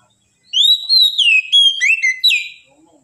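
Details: Oriental magpie-robin producing a clean, loud whistled phrase about two seconds long: a long rising-then-falling note, quick upslurred notes, and a final falling whistle, with almost no background.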